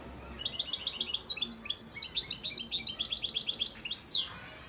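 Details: European goldfinch, a father bird from Antalya, Turkey, recorded in 2018, singing a fast run of high, twittering trilled notes that end in a sharp descending sweep; quiet background.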